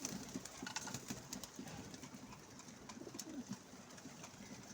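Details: Low bubbling coos from a group of pigeons at a window repeat in quick pulses, with a few sharp taps and clicks and steady hiss behind.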